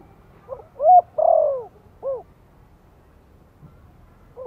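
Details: Thổ-style spotted dove cooing, a soft lure call to get freshly caught birds calling: one low phrase of a quick lead-in, a loud coo, a long sliding coo and a separate final note, then quiet with a faint note at the end.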